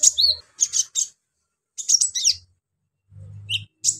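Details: Brown-throated sunbird's harsh provoking song, aimed at stirring up other sunbirds: bursts of shrill, scratchy high chirps in quick groups separated by short pauses, with a faint low hum underneath.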